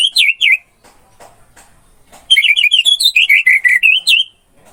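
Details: Orange-headed thrush singing in a masteran recording: a short pair of looping whistled notes, a pause, then a long, varied run of rolling, slurred whistles repeated rapidly for about two seconds.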